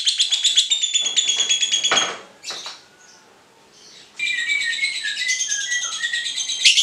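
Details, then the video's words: Lovebird of the Cinderella variety chirping as a lure to prompt other lovebirds to sing for song training; dense rapid high chirps, a short quieter gap with a few scattered notes, then a renewed run of bright trilled chirping. "Pancingan ngekek lovebird cinderella cocok buat masteran"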